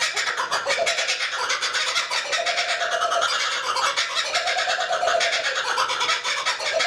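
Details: Kookaburra perched alone in a lakeside tree, Australia; loud, throbbing cackles repeat rapidly without pause, with swelling lower hoots rising then dropping in several rounds.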